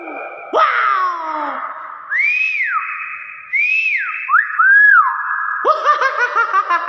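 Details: Nias hill myna giving loud whistles: long drawn tones, smooth upward-arching slurs, and a rapid warbling burst at the end, with a person exclaiming in delight afterward.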